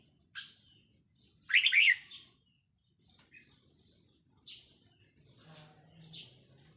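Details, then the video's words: Caged decoy red-whiskered bulbul, 4 May 2023: a single lively warbled phrase of quick rising and falling notes, then several thin short chirps and a faint low hum near the end. "เสียงนกต่อ นกกรงหัวจุกแก้มแดง"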